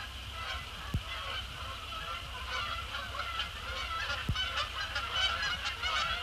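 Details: Resident and migratory Canada geese fly in after sunset on December 2, 2017, landing on Sapsucker Woods Pond, honking continuously in a dense, overlapping chorus of nasal calls over a low rumble with a couple of sharp knocks.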